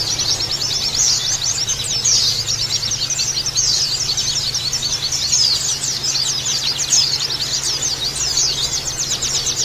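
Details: Flock-style Oriental white-eye (pleci) chorus for bird therapy, meant to provoke rough chirping (ngeriwik kasar): constant, crowded, high-pitched twitters and short rising chirps layered densely, over a faint low hum.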